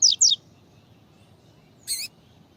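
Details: A female double-collared seedeater (Sporophila caerulescens) calls to stimulate the male: two quick, high, descending whistled notes, then after a pause a brief buzzy burst, over a low background hum.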